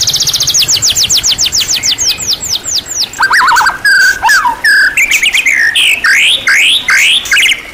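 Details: White-rumped shama song, kept as a songbird and offered as rich masteran song material: a fast series of high descending sweeps, then varied whistled and sweeping phrases, loud and continuous with many repeated notes.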